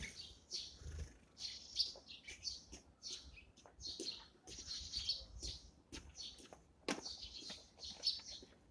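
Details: Eurasian tree sparrows feeding in the morning: a steady stream of short, high chirps and twitters, some overlapping, coming in bursts every second or so, with soft pecking and rustling below.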